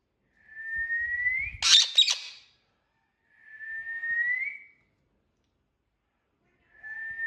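A parakeet gives long, steady whistles that rise at the end, about every three seconds, broken once by a harsh, screechy squawk and a few soft knocks.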